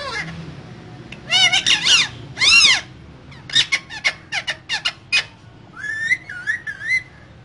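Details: Two green parrots in a cage calling with harsh arched squawks, rapid clicks and a closing wavering whistled phrase.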